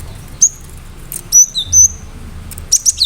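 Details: Sharp, piercing whistles from a cinereous tit in full song, used to rouse other birds: a lone note, then two drawn-out high whistles with a lower drop, closing with three rapid bright notes.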